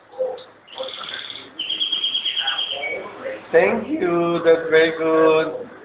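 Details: Pet canary singing after its owner asks it to sing again; a high, fast, buzzy trill lasting about two seconds, followed by the owner's coaxing voice dominating the second half.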